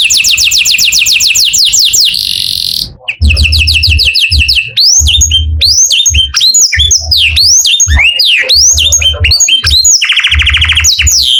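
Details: Canary singing in the morning: fast repeated trills and varied curved whistles in shifting phrases, with a steady low hum underneath and a short break near three seconds.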